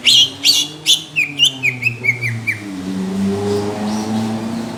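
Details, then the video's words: Greater green leafbird giving coarse, heavy song bursts of the kind judges look for. Ringing chirps quicken into a rapid chain of short downslurred notes, then stop as a low vehicle rumble takes over. "CUCAK IJO INCARAN JURI | TEMBAKAN KASAR DAN TEBAL"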